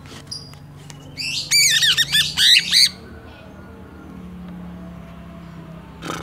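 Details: Greater green leafbird song fill, Banyuwangi versus Kalimantan birds: a loud, harsh squawking rush of downward-sweeping notes for about a second and a half, followed by quiet humming background.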